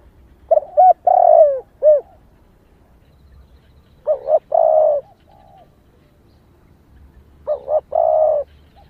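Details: Spotted dove hen calling to excite males: three phrases of paired short notes and a long rolling coo, the first closing with a short coo, separated by pauses of a few seconds; faint soft notes between.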